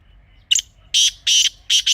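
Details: Strident grey francolin call from a hunting calling recording: a short sharp note, then three loud raspy notes, the last cut off at the end. Only a faint hum lies behind it.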